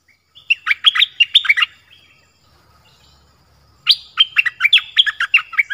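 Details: Dok Taeng bird singing, one of several song styles: two bursts of rapid, sharp chirping notes in quick succession, sweeping between mid and high pitch, separated by a two-second pause.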